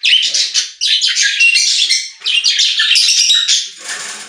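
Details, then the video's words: Budgerigars warbling in a pet store, nearly nonstop: fast, buzzy, chattering phrases mixed with thin whistled squeaks, broken by two short dips, fading softer at the end. "Budgies singing in Pet Store | Parakeet Sounds"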